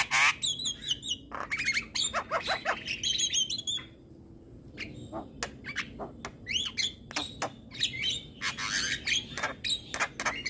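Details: Javan myna singing in the morning, with harsh broadband squawks, rattling bursts and sliding whistled notes, a short pause near four seconds, then more clicks and chatter.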